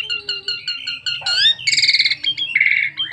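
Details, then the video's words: Asian pied starling song used to lure other starlings into singing: a run of short repeated clipped notes, then a rising whistled slur and rapid rattling chatter, over a faint low hum. "BURUNG JALAK SUREN NEMBAK FULL ISIAN PANDAI PANCING JALAK SUREN JADI GACOR"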